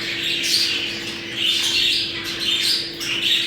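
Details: Budgerigar mating chatter for breeding stimulation: loud, high warbled phrases that swoop up and down, mixed with scratchy squawks and chirps in an unbroken stream, over a low constant hum.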